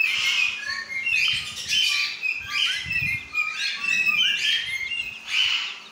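Lorikeet giving a run of shrill, screechy chirps and squeaky chatter, high-pitched and near-continuous, in bursts about every second, with no clear words.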